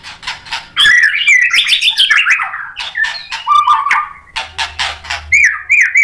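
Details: Provoking song of a white-rumped shama: soft ticking opening, then a loud burst of tumbling warbled notes, buzzy rattles, a low steady whistle, and repeated looping whistled phrases at the end.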